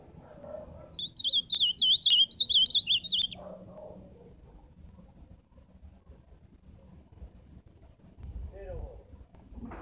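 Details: An ultramarine grosbeak sings live, a two-second string of about ten sharp, high, warbling whistled notes with rapid up-and-down inflections. Then comes a long quiet stretch with faint low background sounds.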